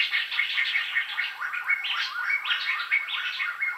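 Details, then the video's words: Lively Black-hooded laughingthrush song: a steady flow of clear rising whistles mixed with quick chattering notes, barely pausing. "Khướu đầu đen. khướu indo"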